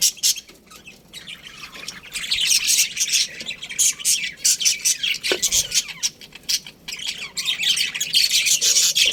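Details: A colony of budgerigars chirping in a dense, continuous chorus of high, scratchy chirps and warbles, with a brief louder squawk midway.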